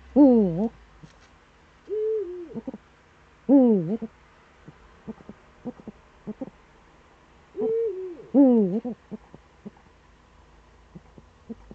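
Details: Eifel eagle-owl, morning of 26 September 2013. Loud, rough calls with a wavering pitch alternate with flatter, descending tones, about three call groups in twelve seconds. Faint short pulses fall in between.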